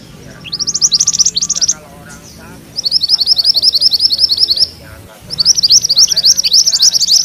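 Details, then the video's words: A mantenan kuning from a rolling-song compilation meant for tutoring magpie-robins: short high bursts, then long runs of fast, piercing ngerol notes separated by brief pauses, with faint low background sounds. "Suara MANTENAN KUNING ngerol"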